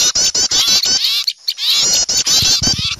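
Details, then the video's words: Small birds calling noisily in fright at the sight of an owl, used as a lure sound: dense overlapping high chattering and twittering in rapid bursts, with a brief near-silent gap just after the first second. "Suara pikat burung kecil ribut takut melihat burung hantu"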